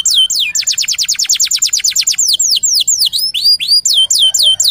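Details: Vigorous local canary song serving as a lure recording: a long run of rapid, evenly repeated downward-sweeping high notes, about five per second, followed by varied rising and falling whistled phrases.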